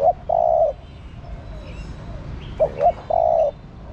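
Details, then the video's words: Calling female spotted dove stimulating a male: a long low coo ends one phrase, then after a pause two short upward coos and another drawn-out flat coo follow. "Cu Mái Thúc Trống. Chim Cu Gáy Mái Thúc Trống Nhạy Bén. Tiếng Chim Cu Mái Gáy Kích Bổi"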